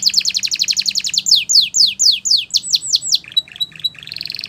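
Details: Belgian canary singing as a tutor for young canaries: a fast, high rolling trill, then slower downward-swooping whistles and a few varied bright notes, over a faint low hum.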